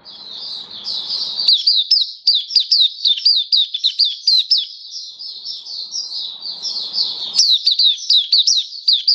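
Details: Energetic song from a caged Oriental white-eye on 27 October 2022: nonstop rapid high twittering, notes tumbling downward at a very quick rate, with low room hum in the background.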